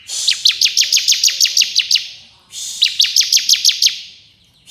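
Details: Bar-winged prinia (ciblek kristal) in rapid 'ngebren' style song: two fast dry trills of sharp ticking notes, about twelve then nine notes, separated by a brief pause, high-pitched and shrill.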